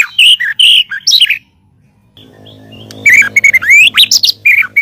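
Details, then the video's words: White-rumped shama song kept as a master recording for training other songbirds: loud whistled and slurred phrases around mid-high pitch, a short pause, then a rapid burst of varied sweeping notes over a faint low hum. "SUARA BURUNG MURAIBATU"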